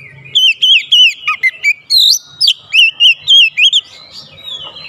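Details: Oriental magpie-robin challenging a rival bird, which replies with its own challenge: a quick series of loud, even whistled notes with wavy slurs, repeated about three times a second, then a softer fading phrase.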